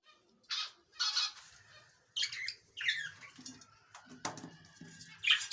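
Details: A breeding budgerigar, around its first clutch of eggs of 2021, gives harsh, scratchy chirps and squawks in short bursts.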